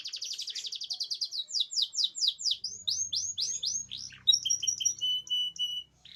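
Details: Canary song played to get silent canaries singing, opening with a buzzy rapid trill, moving into repeated falling sweeps and ending with short high piping notes; faint low rumble underneath.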